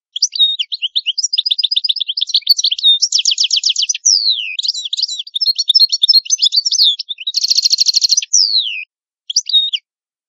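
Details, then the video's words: European goldfinch, Italian, delivering a sustained rich song of tumbling twitters, rapid note series, two grating buzzy trills and swooping downward whistles, ending with brief chirps. "Canto Ottimo Bello del Italiano Cardellino"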